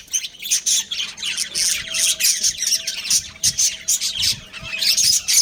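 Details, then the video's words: Budgie breeding pair kept as pets, chattering with rapid shrill chirps and scratchy squawks in repeated bursts. "Cute Budgies Chirping Sounds"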